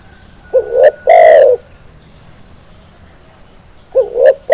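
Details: Spotted dove giving its low cooing phrase, used to train and lure other doves: two short rising hoots lead into a longer coarse coo, then a pause before the next phrase begins.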